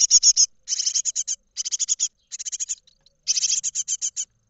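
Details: Begging from great tit nestlings nearly ready to leave their nest box in Israel, 31 March 2021: bursts of quick high chattering notes, four to seven per run, separated by brief silences.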